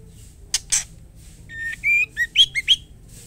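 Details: Female white-rumped shama calling for the male: two loud clicks, then a sequence of ringing whistles climbing higher, the last notes short and sharp.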